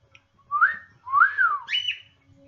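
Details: Pet cockatiel singing indoors: clear whistled phrases that rise and fall in smooth slurs, the last climbing higher into a sustained note, in a quiet room.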